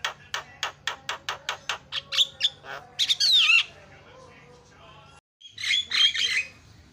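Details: Javan myna producing a steady series of sharp clicks, then a harsh buzzy rattle with slurred whistles, a brief pause, and a final scratchy whistled phrase; song to trigger singing in other mynas.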